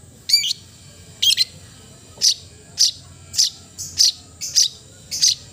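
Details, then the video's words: Long-tailed shrike (cendet) song of eight short raspy notes, the first ones doubled, coming faster toward the end, all high and scratchy over a soft hum. "the melodious sound of the cendet bird"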